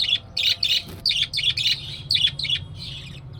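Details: Budgerigar chick active and calling: a steady string of about ten quick, high, raspy chirps, each short and bright, one soft click between them, over low background hum.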